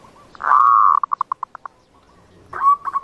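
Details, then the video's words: Zebra dove sound meant to lure birds for trapping: a swelling sustained coo that breaks into a short run of clipped staccato notes, followed after a pause by another rising coo. "Suara Untuk Mikat Perkutut"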